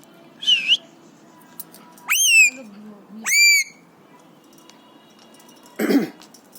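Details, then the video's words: Excited pet Alexandrine parakeet, aged three, whistles: a wavering note, then two loud rising-then-level whistles about a second apart, ending with a short rough cough-like sound. "Alexandrine Parrot Talking | Happy/Excited Parrot | Parrot imitates Cough & Whistles & Screams"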